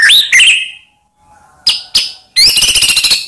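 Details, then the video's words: White-rumped shama lure song meant to provoke rival shamas: a bright rising whistle and rattle, a pause, two sharp downslurred chips, then a fast buzzy trilled series. "Murai Diam Langsung PANAS Dengar Pancingan Ini"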